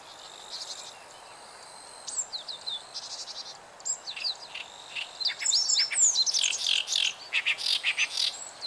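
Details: Meadow Bunting song by a river on 29 June 2013: quick, high, twittering phrases of sharp notes, mixed with the harsh, chattering song of an Oriental Reed Warbler over a faint insect hum.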